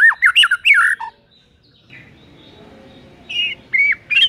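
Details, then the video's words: Lure recording of white-rumped shama meant to rouse a lazy bird to sing: quick bursts of rich, looping whistled notes open and close the passage, separated by a quieter stretch of low background rumble. "PANCINGAN EMOSI MURAI BATU PEMALAS MATERI PEDES TEMBAKAN RAPET"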